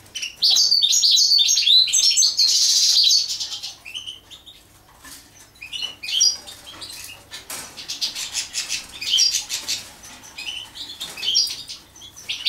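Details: European goldfinch during mating: about three seconds of loud, rapid twittering song, followed by quieter scattered chirps among rustling and fluttering, patter-like sounds.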